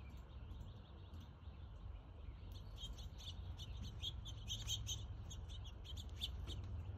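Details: House finch at a front-yard bird feeder in NW Calgary, Alberta, 3:08pm on 31 August 2022, giving short, bright chirps in a quick, irregular scatter during the second half, over a steady low rumble.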